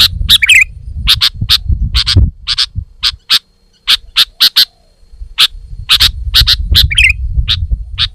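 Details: Sooty-headed bulbul (kutilang) singing energetically: quick bright chirps in short clusters and single notes, with a few rolling twitters. A steady low rumble of handling or wind noise runs under most of it.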